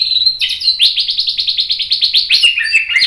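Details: White-rumped shama singing a fast, loud run of repeated rising chirps in a steady rattling series, opening and closing with clear whistled notes, from a masteran training recording.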